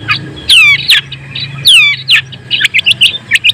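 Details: Long-tailed shrike song played to provoke rival shrikes: loud descending whistled slurs, a few harsh rasping notes, then quick sharp chips in a broken series.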